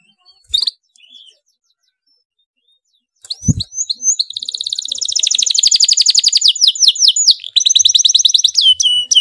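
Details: Excited canary in fast rolling song meant to set other canaries singing: after a short note and a silence, a long, tightly packed trill builds, rapid pulses about 150 a minute, ending in higher rattling notes.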